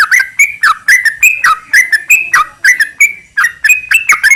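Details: Yellow-vented bulbul in vigorous 'gacor' song, played to set other bulbuls singing. Liquid, slurred, bubbling notes repeat about twice per second with a short gap before the final few.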